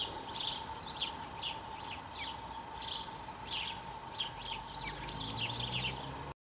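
Great tit giving short, high chirping calls, scattered unevenly, with a brief sharper run of notes near the end; a steady low hum runs underneath.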